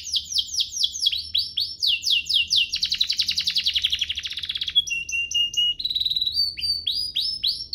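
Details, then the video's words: Domestic canary song with ornate phrasing, used as a tutor for young canaries and to prompt others to sing: fast downward-sweeping high whistles, then a dense buzzy trill, then steady flat tones and rapid repeated notes. "Cengkoknya MEWAH, Efektif buat Masteran kenari paud dan pancingan kenari biar gacor"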